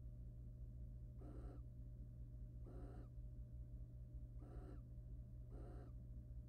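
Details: In a nest box, a wild barn owl pair courts and mates after the male preens the female; four spaced, breathy rasping hisses, each about a third of a second, against a continuous low hum.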